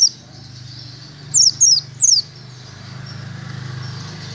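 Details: Caged Oriental white-eye in training at a cemetery: three thin, very high whistled notes sliding downward in quick succession, over a steady low hum.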